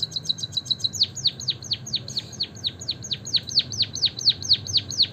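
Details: Steady chirping of a white-headed munia, used to prompt birds to sing: a few rapid high ticks, then a long even series of piercing notes, each sliding sharply down, about two per second.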